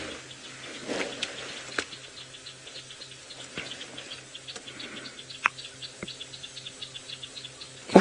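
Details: Batises, small flycatchers, on an afternoon-to-sunset game drive on 2 May 2018 at Djuma Game Reserve, Sabi Sand, South Africa, as it gets dark: quick, dry, ticking "jitter jitter" notes, steady and excited, over a low engine drone with a few clicks and knocks.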